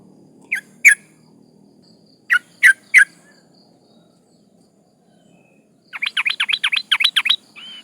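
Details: Sooty-headed bulbul female in breeding condition calling males, used to lure rivals: scattered single and paired sharp notes, then a quick chattering series of about ten notes ending in a softer whistle. Low background noise.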